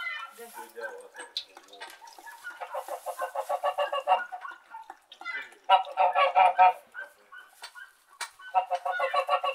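A flock of geese honking, with overlapping nasal, harmonic-rich calls in rapid bursts of about three or four per second, rising and falling as the group passes.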